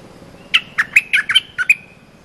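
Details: A cream-vented bulbul gives a brief training song for young birds. It is a lively run of seven squawky, bouncing notes lasting about 1.2 seconds against a quiet background.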